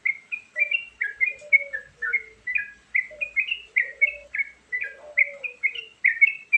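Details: Sooty-headed bulbul giving a varied song used for luring: fast, cheerful chirped notes in a steady stream, with a soft, lower, drawn-out tone underneath in places.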